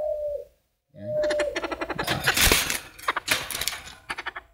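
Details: Tame Chinese francolin, kept four years and calling well, gives a loud, harsh run of clipped, grating notes in quick succession after a brief clear tone; close and indoors.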